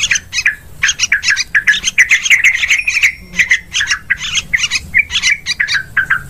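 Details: Sooty-headed bulbul call played as a hunting lure in forest, paddy fields and plantations: rapid, rhythmic chirping with harsh squawky notes and bubbly phrases, short gaps between groups.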